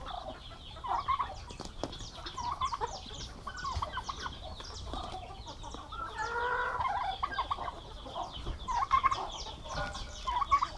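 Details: Domestic turkeys, aggressive males kept together on a farm in Paraná, Brazil: rough, rattling gobble-like bursts, strongest around the middle, over a busy farmyard with many high, quick chirps from other birds throughout.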